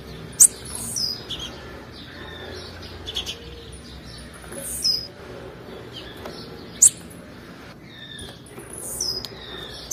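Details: Calls of a female blue-black grassquit, meant to stimulate males: a series of short, piercing high chirps, some followed by a thin falling note, repeated irregularly over ten seconds with faint hiss.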